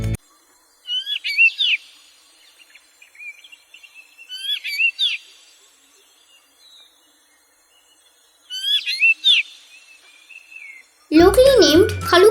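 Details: Black drongo, also called King Crow, in Sri Lanka, giving three bursts of sharp, metallic whistled and twanging notes, each about a second long and several seconds apart; music cuts in at the end.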